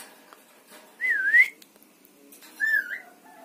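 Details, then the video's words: Talking Javan myna, able to imitate words and whistle, gives two clear wavy whistles about a second and a half apart, the first dipping and rising, the second shorter and flatter, over quiet room noise. "Jalak kebo pandai bicara"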